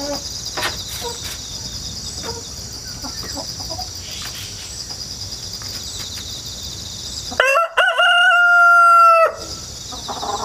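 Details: Country-raised rooster, hatched indoors, crowing again and again; steady insect trilling fills the pause before one loud sustained crow lasting about two seconds, captured from a ladder with a GoPro and wireless mic in September 2019.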